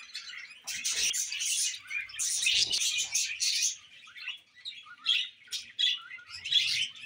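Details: Pet budgies burst into loud, buzzy chatter with harsh scratchy notes and squeaks, then ease into quieter separate chirps and short warbled phrases, with low knocks and rustles in places.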